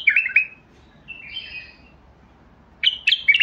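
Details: Bulbul song made of clear warbled notes, a softer wavering whistle in the middle, then a loud burst of sharp, tumbling chirps, against a faint low hum.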